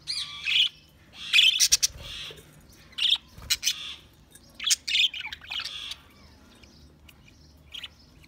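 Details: Loud, close budgerigar chatter, with rapid high chirps and scratchy warbles in uneven bursts and brief silences between phrases.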